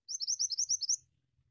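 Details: High, rolling phrase from a Pied Triller in gacor ngeroll style, about nine sharp upward-sweeping whistles delivered evenly within a second, then quiet.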